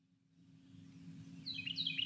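A Carolina wren's song begins: a quick burst of bright, slurred whistles, rising and falling, over a steady low hum.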